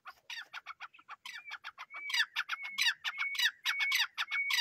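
Grey francolin calling: harsh, rasping notes repeated rapidly, with a thin clear whistle threaded between them, growing louder as the series builds.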